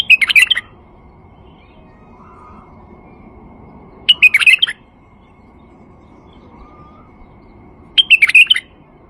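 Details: Lure song of a male white-eared bulbul for attracting birds: three lively, tumbling whistled phrases, each under a second long, repeated about every four seconds in a quiet setting.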